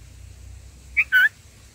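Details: Black-headed bulbul at a nest, the mother feeding chicks; one short clipped note followed by a slightly longer, slurred note, both mid-pitched, over quiet low background hum.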